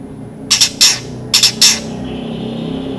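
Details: Long-tailed shrike in varied song: harsh, rasping squawky bursts in two paired groups, noisy and broad, followed by a faint steady tone.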